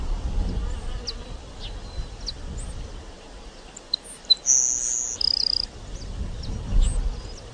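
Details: Song of a grassland sparrow (Ammodramus humeralis): soft ticks, then a piercing high steady whistle followed by a lower brief buzz, heard faintly over wind noise and sparse distant chirps.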